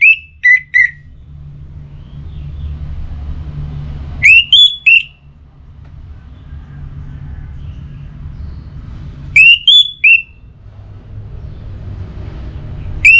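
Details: Orange-headed thrush (anis merah) 'pacingan' song, northern Bali, used to make a kept bird sing morning to night: short whistled phrases of three or four sharp notes, repeated about every four to five seconds over a low rumble.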